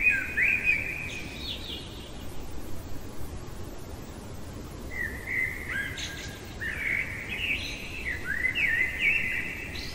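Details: Common blackbird singing in the middle of the night: fluted, warbling phrases, a few seconds apart, some with higher twittering notes at the ends, over a steady low background hiss.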